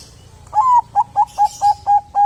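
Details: Zebra dove of the Bangkok type in full song, used to coax other doves into singing: one slightly rising coo, then a steady run of six short, clipped coos, evenly paced, in a quiet setting.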